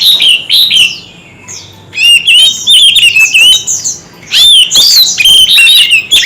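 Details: Oriental magpie-robin, kept for singing contests, in a fierce bout of many voices: loud warbled whistles and harsh chips in three outbursts separated by short quieter gaps.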